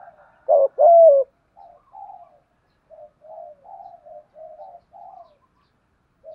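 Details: Lure calling of a spotted dove used to attract wild birds: one strong, rolling coo burst at the start, followed by a run of soft, short, murmured coos repeated about every half second.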